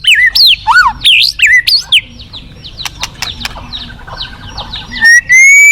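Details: White-rumped shama giving loud swooping whistled notes in quick succession, a quieter interval with faint clicks, then a long clear rising whistle at the end.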